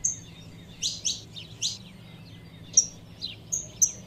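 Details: A female saffron finch calls to rouse the male: a cluster of three sharp chirps, then spaced thin whistles and single chirps, about one per second, low hum behind.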